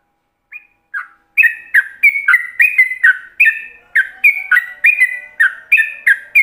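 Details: Yellow-vented bulbul in full ropelan-style song meant to be copied by other bulbuls: two introductory notes open into a fast, steady run of rich bubbly whistled phrases, about three per second.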